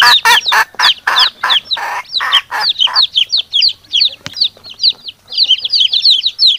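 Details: Hen and chicks calling to each other. Rapid, rough, rich hen clucks come first, about three a second. A run of high, thin, falling chick peeps follows, with one sharp click midway.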